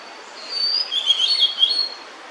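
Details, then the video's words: One short phrase of high, clear, slurred whistles from a female blue-and-white flycatcher singing while holding food for her chicks. "餌を咥えたまま鳴くオオルリ (雌) / Blue-and-White Flycatcher(female) singing while holding food"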